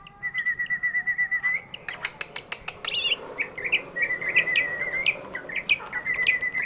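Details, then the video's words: Large-bodied greater green leafbird, whose song is used as a lure to get reluctant birds singing: a long warbling whistle held near one pitch, then sharp clicks and varied quick twisting whistled phrases. "cucak ijo body big, suaranya bisa buat pancingan burung yang malas bunyi"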